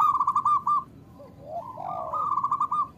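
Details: A local zebra dove sings a quick, rolling run of coo notes, then fades into softer, drawn-out, bending coos before the rapid rolling resumes. It is used as a lure to get lazy doves to sing.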